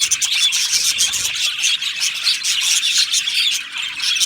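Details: Australian budgies in an aviary colony chirp and warble together in a shrill, continuous chorus of overlapping tweets and squeaky notes.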